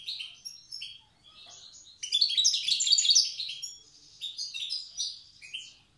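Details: Wild-style goldfinch song, old language, from Tiaret: soft scattered twitters build into a loud, dense jangling burst, then ease back into lighter repeated phrases.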